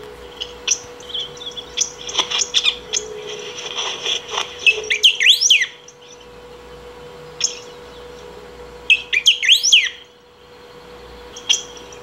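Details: Continuous singing by a saffron finch, meant to call or train; busy chattering chirps build into quick looping whistled phrases, a pause, then another sweeping phrase, over a constant low electrical hum.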